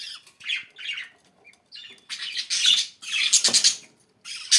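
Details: Budgerigars chattering indoors: rough, buzzy warbles and squeaks in uneven bursts, with a louder rasping squawk near the end.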